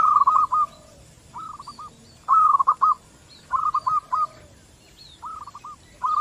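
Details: Local zebra doves exchanging calls back and forth, used as a lure so other doves start calling. Short bursts of rapid, stuttering, rolling coos recur roughly every second, and faint thin higher notes sound between the bursts.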